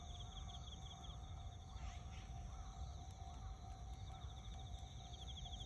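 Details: Azure-winged magpie on 1 September 2021: a rough, rasping call with a quick rise and fall, followed by fainter arched notes, set against continuous rhythmic insect chirring and low hum.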